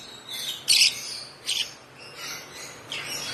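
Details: Hand-fed African lovebird chick, one month old, utters four separate high, harsh chirps spaced under a second apart, the second loudest, over a quiet background.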